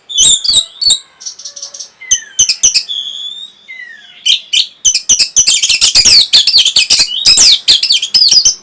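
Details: Orange-headed thrush song meant to stimulate breeding urge and provoke a reply: fast, varied run of high whistles, slurred rising and falling notes and sharp harsh clicks, with a dense burst of rapid notes near the end.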